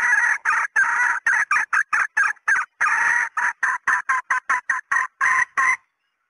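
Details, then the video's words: Female red junglefowl call used to lure males: a rapid series of short harsh clucks, about three per second, in bursts with brief gaps, ending abruptly. "SUARA PEMIKAT TERBAIK AYAM HUTAN BETINA"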